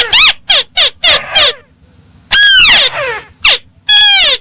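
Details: Crake call used as a trapping lure to draw birds in: loud, harsh, rasping notes, each sliding downward, first five short ones in quick succession, then after a pause longer drawn-out descending calls, very close and overloaded.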